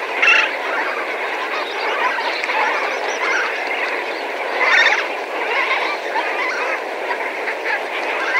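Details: Medium-distance chorus from several thousand Lesser Flamingos, loud overlapping honks and nasal gabbling swelling in bursts over a continuous flock murmur.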